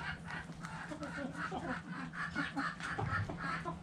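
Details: Backyard hens clucking while dust bathing in the dirt. A run of short, low, throaty clucks repeats several times a second over a grainy outdoor background.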